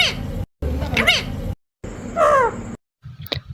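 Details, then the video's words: Pet parrot indoors, coaxed by its owner to call like a crow: a harsh opening burst, then arching harmonic notes and a falling, strained cry, separated by short silences, with a woman's voice nearby. "কাক পাখির মতো ডাকে,,The parrot calls like a crow"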